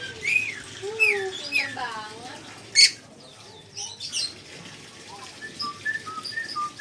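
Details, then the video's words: A pet red lory (nuri merah) gives a run of varied whistled and slurred chattering notes, rising and falling, with one sharp loud squawk and softer chirps afterward. "NURI MERAH - Red Lory kicau"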